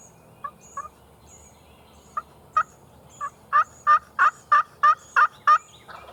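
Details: Wild turkey gobbler during a South Carolina spring hunt in 2021, a bird that came in from at least 400 yards: a loud run of harsh, evenly spaced pulsed notes, about a dozen, building in volume, with faint high chirps above.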